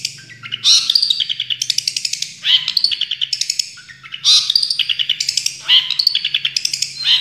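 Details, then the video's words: Long-tailed shrike, a champion bird, singing full tembakan phrases. Loud, sharp chips introduce runs of fast, rattling repeated notes, and the pattern repeats several times, with a faint low hum underneath. "Masteran Cendet Juara full tembakan"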